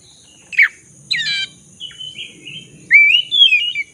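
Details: Black-throated magpie-robin lure song for restoring a silent bird's singing: a sharp falling note, a harsh buzzy burst, wavering whistles, then loud rising and falling whistled phrases, faint rumbling background and steady high hum.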